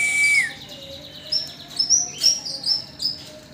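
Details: Tame yellow-bellied warbler in lively song. A brief falling whistle opens, followed by a string of sharp, very high, thin chirps and trills repeated several times.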